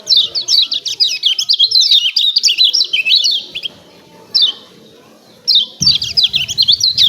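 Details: Lemon-bellied white-eye (kecial kuning) from Lombok in a lively 'ciak ciak' song used to provoke other birds into singing: rapid, high chirps that zigzag up and down in a chattering stream, pausing briefly before resuming.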